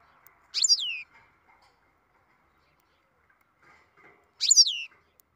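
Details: Captive-bred European goldfinch in its beginning song: two short bright phrases, each a quick high note sweeping steeply down, about four seconds apart, with faint soft chatter between them in a quiet room.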